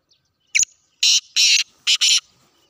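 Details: Sindhi black francolin call, loud and scratchy: one brief sharp note, two drawn-out raspy phrases, then a final paired raspy phrase, with faint background hiss.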